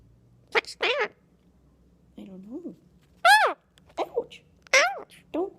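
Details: Young pet Indian ringneck parakeet, a two-year-old male, talking: bursts of nasal, speech-like squawks that bend up and down in pitch, separated by short pauses, in a quiet room.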